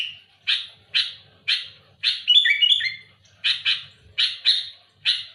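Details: Sooty-headed bulbul in loud challenging song against rivals: a string of short rough rasps about half a second apart, broken once by a quick warbled whistle phrase.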